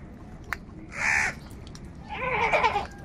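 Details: Two harsh crow caws, the second longer and more ragged, from crows fighting for food, with faint clicks and a low background murmur between them.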